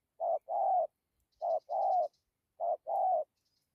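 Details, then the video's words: Three two-note phrases from a spotted dove in the thổ, dặm and gù styles, each a short coo then a longer fuller one about a second apart, with a faint high twittering from another bird behind. "Thổ tốt tiếng gù tốt dặm kèm gù"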